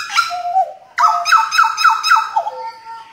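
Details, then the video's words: Butcherbird from Jayapura, Papua, in full song: a low fluted note, then a run of five quick, clear whistles, each sliding sharply downward, repeated about every quarter second. "JAGAL BLOROK GACOR JAYAPURA"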